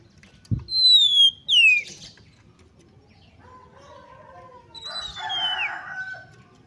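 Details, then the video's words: Female Oriental magpie-robin calling to rouse males: clear downslurred whistles near the start, followed by softer buzzy and harsher notes with a thump and low background rustle. "PANCINGAN AGAR KACER CEPAT EMOSI, GACR DAN BKA EKOR || KACER BETINA"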